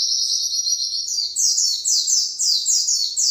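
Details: White-eye long 'nembak panjang' song for training other birds: a steady run of high, slurred downward-sweeping notes, about two per second, loud and clean.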